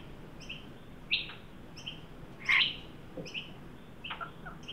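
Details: Two Australian magpies, adult and juvenile, at a new birdbath in a Sydney yard on a 43-degree heat wave day in December 2023. Two sharp, harsh squawks stand out against a quiet, rhythmic high chirping from another bird.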